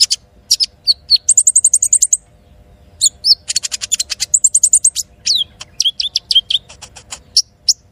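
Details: White-rumped shama (konin) song used as a lure to train other birds: fast high trills of evenly repeated ticking notes, sharp whistled slurs and chattering bursts, with brief pauses between phrases in a quiet setting.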